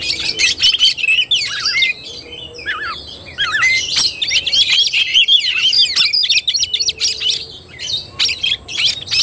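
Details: Oriental magpie-robin in fighting-style (tarung) song, recorded 17 August 2021: a dense, continuous stream of rapid whistled notes, sweeping trills and harsh chattering, switching quickly between high and mid pitches with brief pauses.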